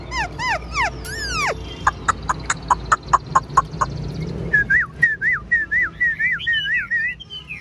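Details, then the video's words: Chinese hwamei held as a caged songbird, fan-tailed and described as 95% tame, singing nonstop: looping whistled phrases, a run of sharp repeated clicks, then rising-falling wavy whistles repeated rapidly, with faint voices behind. "Đuôi xòe hót không bỏ mỏ, chất giọng cực hay, chim thuần 95% | Hoạt Họa Mi"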